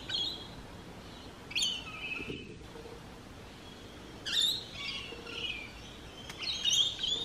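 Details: Noisy rainbow lorikeet chatter, with harsh, buzzy screeches in short bursts every second or two and quieter twittering between them.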